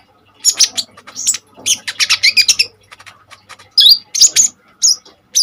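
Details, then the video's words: Common iora, singing intensely as a tutor for other birds: quick bursts of high chips and buzzy rattles, then a pause and several loud, downslurred whistled notes, faint low hum throughout. "KONIN GACOR FULL TEMBAKAN SADIS"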